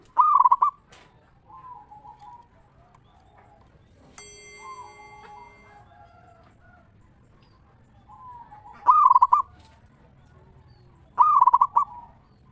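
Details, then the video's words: Local zebra dove singing in the ngeristal style, used to lure other zebra doves into song: loud, quavering cooing phrases near the start and twice late on, softer low coos between, and a brief steady harmonic tone midway. "Perkutut Lokal Gacor RAJA PIKAT Suara Ngeristal Paling Ampuh Bikin Semua Perkutut Nyaut Gacor"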